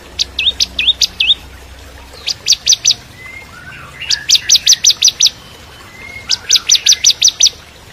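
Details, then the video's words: Bar-winged prinia (ciblek kristal) singing a training song for magpie-robins and shamas: three hooked upslurred notes, then rapid bursts of five to eight sharp high chips in quick series, with soft slurred whistles between bursts. "Masteran Cimblek Kristal Gacor (masteran murai Batu trotol)"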